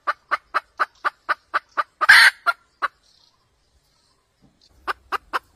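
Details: Trapping cackle of a red junglefowl hen: a row of evenly spaced clucks, a loud rough squawk, a few more clucks, a quiet pause, then clucking resumes.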